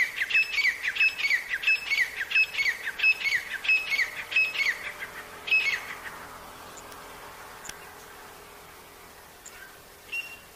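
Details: Wild partridge calling in the jungle, the birds said to be very healthy: a run of loud grating notes with a bright ringing edge, repeated about every half second for six seconds, then fading into quiet outdoor background with a few faint chirps.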